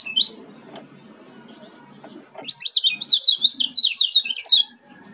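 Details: Oriental white-eye from Lombok, called kecial kuning there, gives a brief chirp, then after quiet rustling bursts into a quick, high, chattering song lasting nearly two seconds.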